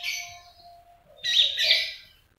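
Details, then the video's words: Trotolan-style song of a common iora used as a lure to get other birds singing: a high chirpy burst, a pause with a thin steady tone, then a louder, denser twittering phrase. "Pancingan Konin Trotolan"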